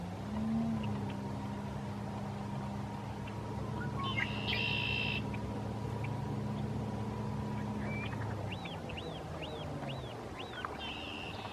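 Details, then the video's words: Red-winged blackbird calling from reeds, Lake Arrowhead State Park, Clay County, Texas, March 2, 2017; two buzzy trills rise above loud engine drone, with a series of short upswept chirps between them. "Red-winged Blackbird (Agelaius phoeniceus) Calling From the Reeds"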